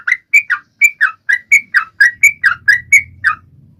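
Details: Sooty-headed bulbul singing loudly, used to prompt other birds, especially silent ones, to sing: a run of short, clear whistled notes alternating dipping and rising, about two per second, ending in quiet low rumble.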